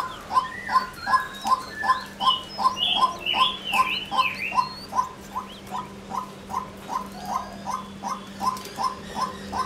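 A female White-breasted Waterhen gives a steady series of short, mid-pitched croaking notes, about two or three each second. Brief higher chirps from another bird and a low hum run underneath.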